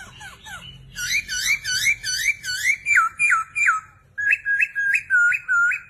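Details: Chinese hwamei singing strongly: a run of about nine loud, clear rising-and-falling whistled phrases, a short pause, then five more sharper whistles in quick succession.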